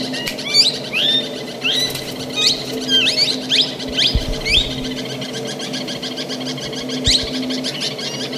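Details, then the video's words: ['Plum-headed parakeet giving busy, chattering high chirps and quick down-slurred notes, several overlapping in rapid bursts, with a constant low hum and occasional thumps behind.'] "pluamhead parrot vioce plum head parrot calling song"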